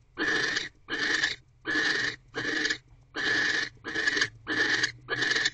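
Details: A female barn owl in a nest box screeches while mating, a rodent held in her beak, on the evening of 25 December 2023. The calls come as eight rasping, breathy bursts, each about half a second long, in a steady rhythm.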